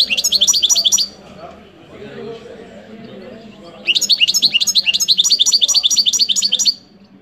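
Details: Short burst of high, tinkling, repeated goldfinch notes, then a pause with soft low background rumble. A longer run of quick, bright twittering follows for about three seconds, from a European goldfinch.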